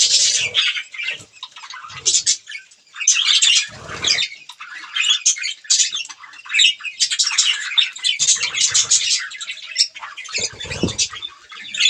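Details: Budgies feeding on green food chatter almost continuously, a busy mix of buzzy warbles and sharp chirps, with occasional low knocks and rustles between bursts.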